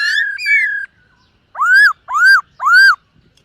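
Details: Morning voice training by a black-throated laughingthrush singing while dancing: two flat whistled notes, a pause, then three arched, rising-falling whistles spaced about half a second apart.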